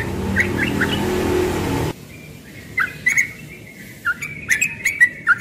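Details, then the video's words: Yellow-vented bulbul, young, singing 'ropel' in the morning: a stretch of loud background noise gives way to clearer quick, bubbly warbled notes repeated in short bursts. "Trucukan muda ropel pagi"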